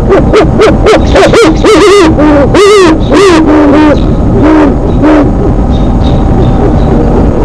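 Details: A bird perched above its nest chatting with its mate at 8:35 PM on April 4, 2017: loud, rapid, harmonic calls that rise and fall, some wavering and bent, given in quick bursts, with a steady low background hum.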